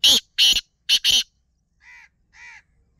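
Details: Black francolin, locally called kala teetar, calling: four loud, harsh, grating bursts in quick succession, followed after a pause by two softer, nasal, even-pitched notes.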